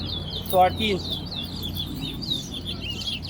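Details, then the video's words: Competition song of a Chestnut-bellied seed finch at Soesdyke, Guyana: a brief spoken number, then a continuous stream of quick twittering, rising and falling notes against low background noise. "TOWA TOWA BIRD COMPETITION AT SOESDYKE GUYANA"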